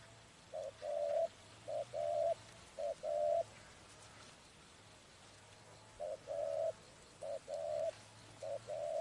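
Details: Spotted dove cooing in a trapping setting: low, hollow coos in short groups of two or three notes, the pattern repeated after a pause, over faint rustling background noise.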